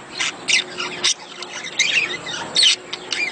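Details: Budgerigar mating chatter intended to stimulate egg laying: separated harsh squawks and scratchy bursts with short squeaky notes between them. Quieter gaps fall between the louder outbursts.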